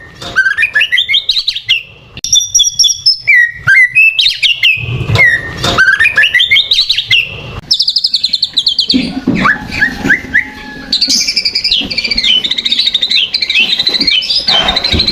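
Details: Provoking lure song of a white-rumped shama: rich, rapidly changing whistles, rising slurs, dense chattering trills and fast repeated notes, loud throughout with scarcely a break.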